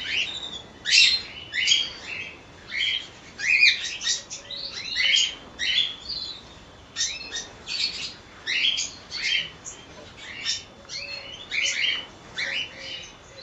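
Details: Cockatiel colony chatter in repeated bursts of sharp, high chirps roughly every second, separated by brief quieter gaps, many birds overlapping throughout.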